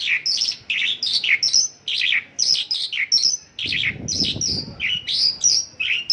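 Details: Mongolian lark delivering 'isian lokalan' song in clustered chirpy phrases with brief gaps between them, and a soft low background noise swelling mid-way.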